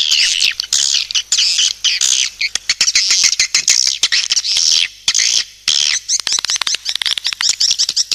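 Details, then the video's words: Swiftlet lure call with harsh, high twitters and squeaky chirps delivered in uneven bursts separated by short silences. "SUARA PANGGIL BURUNG WALET"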